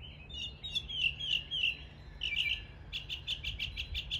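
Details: Northern mockingbird mimicking local birds in East Tennessee, a quick series of whistled slurs followed by a rapid run of even, sharp repeated chips, about six per second.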